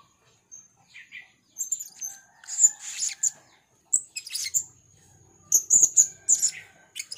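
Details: Blue-crowned hanging parrot, 'rintik merah' type, calling in gocor style: sharp, high-pitched tseet and chip notes in three clustered bursts separated by short quiet gaps.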